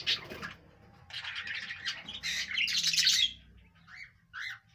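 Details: Budgerigar chirping: a burst of bright, scratchy chatter, then a quiet gap, then a louder cluster of harsh high chirps and a few short clear whistled notes near the end, with a faint low background hum.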